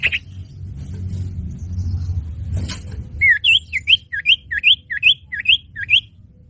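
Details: Common iora lure for catching birds: low rumbling background, then about ten quick up-swept chirps repeated steadily, roughly three per second.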